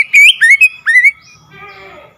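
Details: Oriental magpie-robin song meant to provoke a silent bird into song: three loud whistled phrases, rising and falling, followed by a lower, drawn-out buzzy sound fading away.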